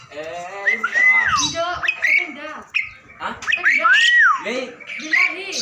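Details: Asian pied starling vocalising, used to get a quiet bird to reply and sing: arched, slurred whistles rising and falling, mixed with rough, squawky notes in uneven phrases.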